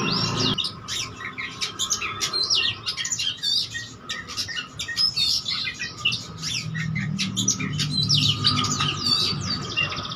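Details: Oriental magpie-robin singing energetically to provoke rival birds, full of varied phrases: a long stream of squawks, harsh chirps and sweet whistles in quick bursts, with a constant hum and a low rumble toward the end.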